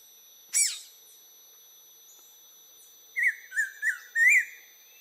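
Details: Green-winged saltator singing in the wild: one sharp click early, then after a pause four short warbled whistled phrases in quick succession, rich and slightly buzzy, ending the recording.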